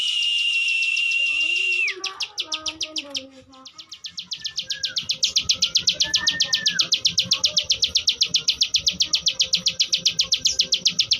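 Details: Song of a plain prinia (ciwah): a sustained high whistle with clicking on top, a brief warbling lull, then a long, very regular run of rapid dry clicks of rising loudness.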